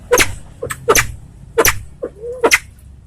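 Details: White-tailed Salvadori's pheasant from Aceh makes loud, explosive, cracking notes in quick succession. A short, arched whistled note is mixed in among them, over a faint low hum.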